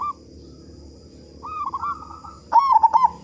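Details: Local zebra dove with a big voice, singing vigorously, used to prompt other doves to sing. A faint cooing phrase, then a louder one, then a loud burst of rapid gurgling, bubbling coos, over a steady high electronic whine.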